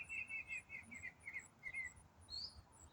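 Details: Songbird heard in autumn delivering a rapid string of warbled, slightly buzzy notes at one pitch, ending with a higher upward-slurred whistle; part of an eight-minute continuous riff.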